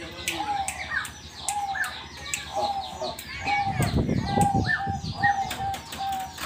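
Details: Zebra dove (perkutut) singing steadily when called by name. Its cooing notes are repeated about once a second, mid-pitched and slightly wavering, over constant chirping and clicks from many other small birds and a brief low rumble.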